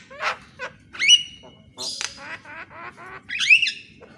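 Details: Javan myna singing in the morning, used to train other mynas: a harsh burst, a rising squeaky whistle, a mewing buzz and low rattling notes, then another steep upslurred squeal.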